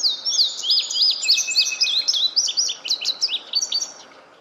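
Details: Male indigo bunting sings a bright, high-pitched run of quick chirps and sweeping notes lasting about four seconds, over a faint low background hiss.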